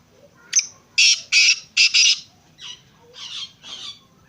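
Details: Black francolin calling: a short harsh note, then four loud, rasping, grating bursts in quick succession, followed by three fainter, softer rasping notes against a quiet background.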